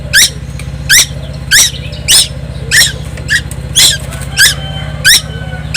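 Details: A young Timor Island tuwu calls without pause in a loud, noisy manner: scratchy, harmonic-rich notes roughly every 0.6 seconds, some softer notes between them, with a persistent low hum.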